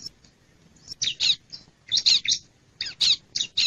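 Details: Wild bar-winged prinia lure call, used to attract wild birds: bursts of harsh, buzzy chirps in quick clusters separated by short pauses, with a brief high thin note at the start.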